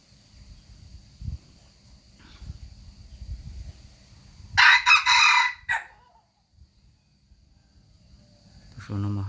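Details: Chicken crow: a loud, hoarse, broad crow of about a second and a half in stuttered segments, with soft low rustling before it and a deep harmonic call starting at the end.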